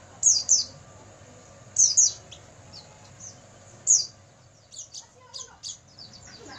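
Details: Oriental white-eye song played at night to train caged birds: high, thin chirps and short slurred notes, often in quick pairs, with scattered softer twitters and a faint low hum beneath.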